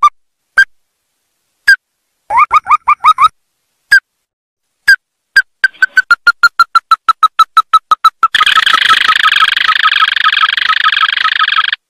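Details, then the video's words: Ruddy-breasted crake calls kept for use in bird trapping: scattered single notes and short bursts, then an accelerating run of clipped notes falling slightly in pitch, ending in a dense, continuous rattling trill. "Tiếng chim Cuốc Ngực Đỏ(Ốc Cao, Mắt Đỏ) | Sounds of Porzana fusca"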